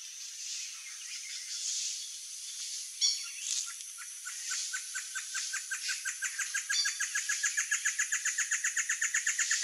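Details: Great antshrike (Taraba major) singing to defend territory or attract a mate in the breeding season: faint scattered notes, then a loud series of short hooting notes that speed up and grow steadily louder toward the end.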